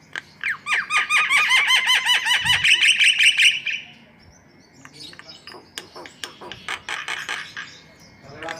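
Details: White-vented myna song opening with about three seconds of rapid, harsh chatter, followed by softer, scattered notes.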